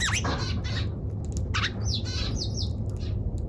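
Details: Harsh chirping from a Eurasian tree sparrow: quick descending slurred notes and raspy chatter in rapid succession, several swooping calls near the end, over low steady hum.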